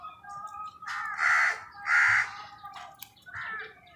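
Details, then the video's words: Crow calling while wild birds fight with crows for food: three harsh, drawn-out caws, the middle two loudest and about a second apart, then a softer third, over faint background chatter. "crow bird live crowing sounds| Crow Soud কাকের ডাক"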